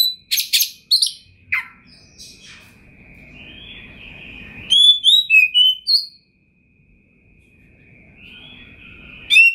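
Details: Oriental magpie-robin, kacer, a champion songbird with full material, 2021. A few harsh chips open, then a long thin steady whistle with soft background noise, and a quick cluster of high sweet whistled notes.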